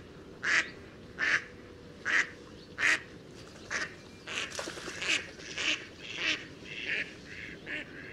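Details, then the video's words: Mallard quacking: four strong, evenly spaced quacks followed by a looser, overlapping run of softer quacks. "Mallard Duck | Chirping Singing Birds"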